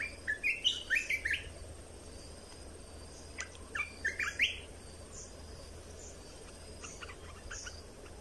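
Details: Red-whiskered bulbul training song, played to teach young birds and excite them: two bursts of quick, bright whistled notes rising and falling, the first near the start and a softer one mid-way, then faint scattered chirps over low hum.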